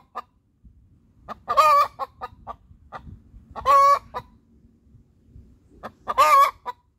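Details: Laying song of a hen after laying an egg: three drawn-out raucous cackles spaced about two seconds apart, with short clipped clucks before and after each one.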